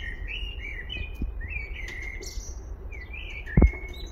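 A Eurasian blackbird sings a run of mellow, slurred fluting whistles with a few thinner high notes, over low background rumble and a single soft thump.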